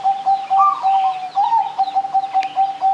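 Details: Vigorous cooing of a zebra dove, played as a lure to set other birds singing: a run of short, even mid-pitched coos with a few higher rising notes, while faint chirps of other small birds sound in the background.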